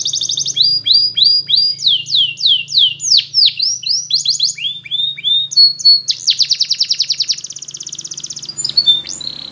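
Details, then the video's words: A Belgian canary, recorded to train young canaries to sing, sings a fast, varied run of high chirps, sweeping whistles and rapid trills, about three notes a second, over a faint low hum. "Belgian Canary Training for Early Childhood Canaries so that they sing diligently"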